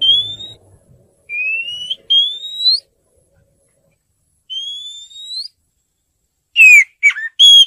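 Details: White-rumped shama song: long, clear, pure whistles rising in pitch, given singly or in pairs with pauses between, then a few sharper, varied whistled notes at the end; otherwise quiet.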